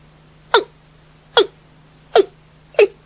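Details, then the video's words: Watercock heard at night: four loud, hiccuping notes falling in pitch at slightly uneven intervals, with faint high chirps and a low hum between them. "Tiếng cúm núm hay Gà nhái bầu, tiếng trong dễ đánh, tiếng chim đêm"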